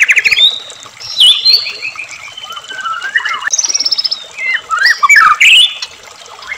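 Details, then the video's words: Captive-provoking white-rumped shama song: rich, varied phrases of clear whistles, fast rattling note series and sharp high chirps, changing every second or so, with pauses between bursts. "murai batu gacor AMPUH buat PANCINGAN murai agar RAJIN bunyi"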